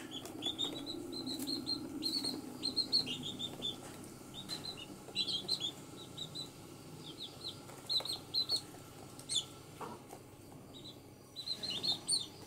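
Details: Baby chicks one day old on green ground give many short high peeps in scattered bursts, some overlapping, with soft rustling and faint low background noise.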